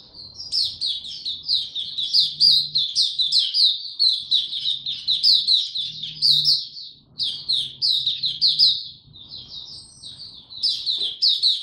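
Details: Steady, high-pitched warbling chatter from a young male white-eye whose song is maturing, 9 February 2022. Quick notes rise and fall almost continuously for over ten seconds, with a faint low hum in the background.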